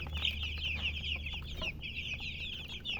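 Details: Baby chicks chirp in a close, continuous stream of bright high peeps, slightly trilled. A low hum sits underneath.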